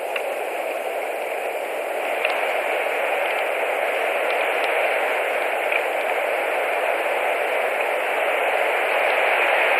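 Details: A constant loud hiss of static runs the full length, slowly growing a little louder, with no animal calls.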